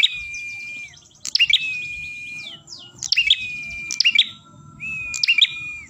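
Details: Ashy tailorbird song for luring birds, with long level whistles trailing off after bursts of sharp, chattering notes, repeated four times, and a low rumbling background.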